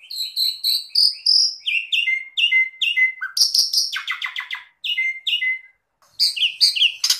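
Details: Asian pied starling singing a lively, varied song used as a training recording: clear whistled notes and buzzy trills high in pitch, rapid phrases with short pauses, some notes stepping down in pitch, and brief silent gaps near the end.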